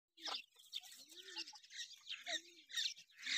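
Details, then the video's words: Francolin chicks raised on a farm in Pakistan: a dense chorus of thin, high peeps and chirps with lower, soft, arched calls repeating about twice a second. "frencolin chiks / teter ke awaz / frencolin voice / frencolin sound"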